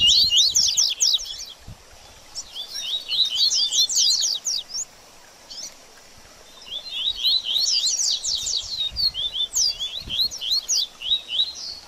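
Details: Double-collared seedeater in baderninha song, meant to stimulate a post-moult bird: three separate outbursts of rapid, high, chattering slurs divided by short quiet pauses.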